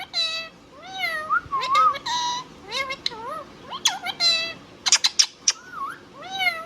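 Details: Pet Indian ringneck parrot mimicking speech, with slurred harmonic word-like phrases, rising and falling inflections, and a quick cluster of sharp high clicks toward the end.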